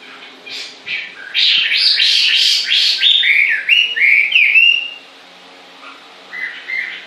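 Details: Bird singing continuously: a fast run of bright, upward-sweeping whistled notes over about four seconds, then a pause and a few softer rising notes near the end.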